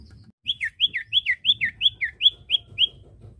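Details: Common iora, training song for caged birds: nine quick two-part whistles, each rising then dropping, delivered rhythmically at about three per second over faint low rumble.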